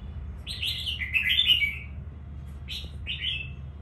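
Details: A newly selected wild-type Red-whiskered bulbul from Quảng Nam gives a bright, liquid warbled phrase, then two short rising notes half a second apart, over a low steady hum.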